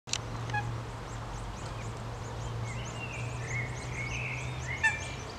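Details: Eurasian coots with young at Alphen aan den Rijn on 19 April 2017: thin, high whistled notes, some drawn out and level, others short and rising, over a steady low hum and faint background noise.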